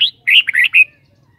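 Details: Red-whiskered bulbul in a cage sings a short lively phrase: a high opening whistle, then three rapid warbled notes and a drawn-out final note.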